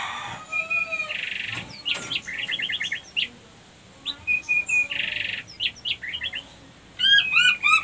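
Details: White-rumped shama female lure song for bringing other females into breeding condition; clear steady whistles alternating with short harsh buzzes and rapid stuttering notes, with a faint steady hum behind.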